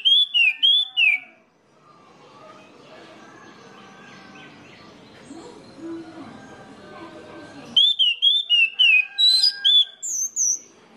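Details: Song of an orange-headed thrush, played to stir other birds of its kind into singing. Bright, fast whistled phrases with sharp up-and-down slurs open the recording, a long stretch of soft rustling noise follows, then a denser burst of whistling.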